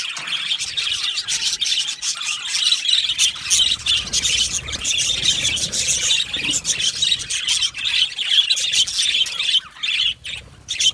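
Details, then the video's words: Australian budgerigar colony in an aviary, many birds chirping together in a dense, continuous high-pitched warbling chatter with rapid squeaks and clicks throughout, no pauses. "Australian Budgie chirping sounds"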